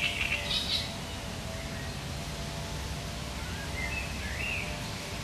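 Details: Sharp, chattering great reed warbler song from 1 July 2020: a loud, scratchy cluster of notes at the start, followed by softer, creaky rising and falling phrases, with low continuous noise underneath.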